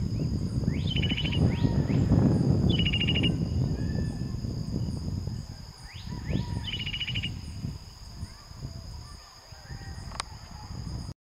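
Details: Nightingale singing on open flat ground behind a house in the village of Florida, recorded while walking. Short buzzy trilled phrases recur every few seconds over heavy wind rumble, with a steady high whine throughout.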